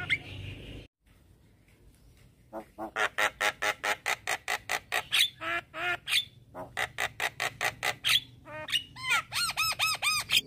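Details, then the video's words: Javan myna morning lure song meant to restart a bird that has gone quiet: after a short silence, a long regular string of harsh squawking notes, ending with quick looping whistled phrases. "Burung Jalak Macet Bunyi Wajib Rutin Kasi pancingan Suara Jalak Kebo Tiap Pagi"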